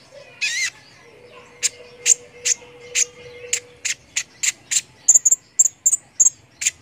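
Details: Chattering sunbird song for training competition birds: a buzzy burst, then evenly spaced sharp high ticks that speed up into bright whistled pings, with a steady low tone for a few seconds.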